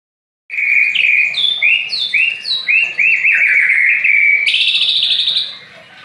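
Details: Aceh white-rumped shama singing loud clear whistled phrases, short notes that climb and step up and down in a quick series, ending in a fast buzzy trill.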